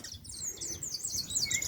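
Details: Cowbird (tordo) gives a run of thin, squeaky, high whistles and chattering twitters that tumble and slide in pitch, with faint low rumbling underneath; afternoon in Buenos Aires province countryside, a brood parasite of horneros and chingolos.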